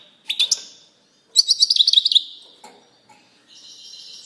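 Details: European goldfinch giving short twittered phrases: a couple of sharp chirps, a silence, then a fast tinkling trill, followed by a faint high buzzy note trailing off.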